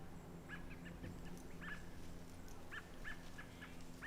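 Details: American robins give short, sharp, repeated alarm calls, about six in four seconds, over a low rumble, while goats seem alarmed and a cougar is believed to be in the backyard.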